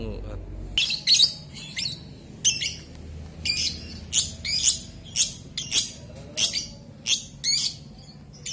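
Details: Lovebird giving a run of shrill, high-pitched chirps, about a dozen sharp bursts spaced roughly half a second apart, with faint background murmur.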